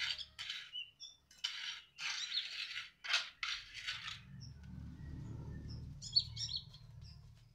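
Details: Sunbird singing, a run of sharp, high buzzy chirps and scratchy bursts for about four seconds, then a steady low hum with a few thin high notes near the end.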